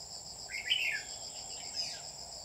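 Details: Red-whiskered bulbul used as a lure bird for trapping, recorded 27 July 2019: one short warbled, rising-then-falling chirpy phrase, with a steady high insect drone throughout.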